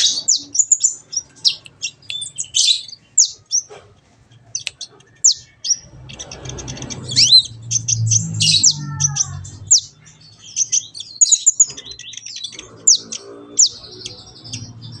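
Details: Kolibri ninja, a sunbird, singing on a training recording intended to make a captive bird sing and chatter: scattered sharp high chips and twittered phrases, a stretch of louder low background rumble and a brief tonal sound partway through.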